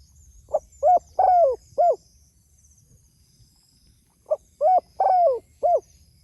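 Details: Spotted dove calling to others: two phrases about three seconds apart, each a short soft note then three mellow cooing hoots, the middle one longest and falling, over a faint low hum.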